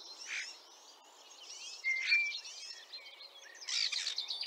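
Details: Song of a ringed common starling in Liepāja, Latvia, spring 2023, the bird having hurt its leg during the past year: soft chatter, a sharp clear whistle, then a loud buzzy rattle.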